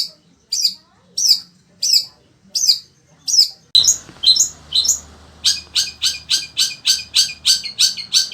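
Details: Pet long-tailed shrike of the sembur variety, singing nonstop despite desert-like heat: spaced harsh chirps, then a fast run of rapid clipped high notes, about three per second, with a low hum.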